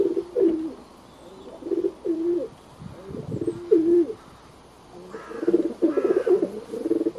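A pigeon gives low, soft, throaty coos in rolling, bubbling phrases, about one every second, growing fuller and slightly overlapping toward the end.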